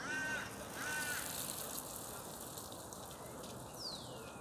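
A parakeet gives two harsh, grating calls about a second apart, then a thin falling whistle. Steady background hiss throughout.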